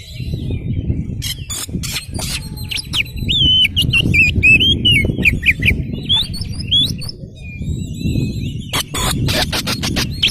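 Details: Oriental magpie-robin, a 'kacer gacor' spreading its tail, singing as a lure for other magpie-robins: rapid wavering whistles and trills in the middle, sharp clicking bursts at start and end, constant low rumbling noise behind.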